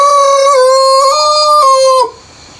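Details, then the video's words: Countryside rooster crowing before sunrise, early morning: a loud, rich, nasal crow of about two seconds, its pitch stepping slightly up and down in several segments before it ends abruptly, followed by quiet ambience. "EARLY MORNING ROOSTER CROWING BEFORE SUNRISE"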